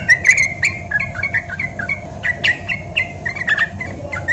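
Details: Sooty-headed bulbul, Javan type, in lively song used to prompt other bulbuls to sing and to tutor them: a run of bubbly, slurred whistled notes with sharp clicks between them, over a steady low hum.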